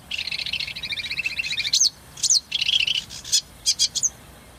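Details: Eurasian reed warbler singing at Saladar de los Canos in spring 2010: a fairly distant, chattering run of scratchy repeated notes, then sharper isolated chips and short whistled accents.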